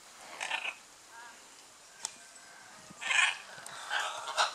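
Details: Raucous calls from scarlet macaws in a courtship display, Playa Blanca, La Palma, Osa Peninsula, Costa Rica: a harsh squawk, a pause, then two louder grating screeches close together near the end.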